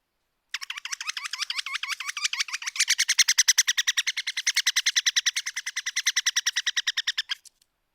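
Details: American Three-toed Woodpecker, a Washington breeding species, giving a rattle call: a rapid, even series of harsh, metallic notes, several per second, lasting about seven seconds and growing louder partway through before ending abruptly.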